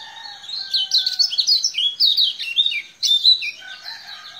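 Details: Lemon-bellied white-eye from Lombok singing a rapid, lively run of high twittering and warbled notes, sweeping up and down in quick succession with a brief pause near the middle.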